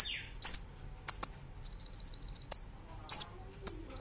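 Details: Brown-throated sunbird master recording for training cage birds, 'nembak ngerol' style: quick high upslurred whistles and bright chips around a sustained buzzy note with a faint overtone, all very high-pitched.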